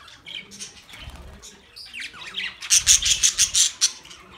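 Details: Budgerigars chirping, meant as company for lonely birds: scattered squawky notes, then a loud run of rapid, evenly spaced harsh chirps near the end, with faint wing flutter.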